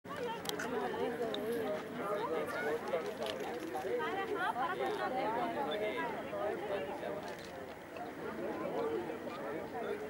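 A dense flock of lesser flamingos keeps up a steady babble of overlapping nasal honks and murmurs, rising and falling without pause.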